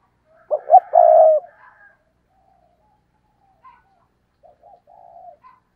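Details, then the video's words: Decoy spotted dove cooing in the stuttering 'gù cà lăm' style to provoke rival doves: two quick clipped notes, then a loud, drawn-out hollow coo. Fainter, softer coos follow at a distance. "Gù Cà Lăm - Chim Cu Mồi Thúc Gù Kích Bổi Cực Nhạy"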